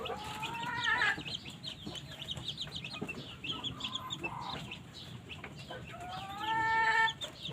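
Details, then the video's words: Polish chickens out in the morning sun to warm up, giving soft, varied clucks and brief rising squawks, with a louder drawn-out call near the end over faint background noise. "morning sun to warm the Polan chickens"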